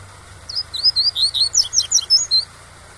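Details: Tui-tui song of a domestically bred double-collared seedeater, played as a model for young birds: a run of roughly ten high, sweeping whistles, accelerating into twisted notes mid-phrase, with soft waterfall rumble underneath.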